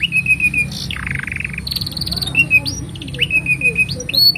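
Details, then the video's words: Canary song meant as a master recording for juvenile canaries: thin level whistles, a buzzy rattling phrase and short upward-flicking notes, fairly soft, with a constant low hum behind. "Kenari Gacor Panjang Ini Bagus Untuk Masteran Kenari Paud Dan Pancingan Kenari Bisu"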